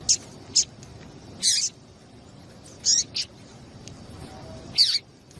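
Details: Female double-collared seedeater piping to rouse a male into song: short high notes, singles and pairs, separated by quiet gaps of about a second.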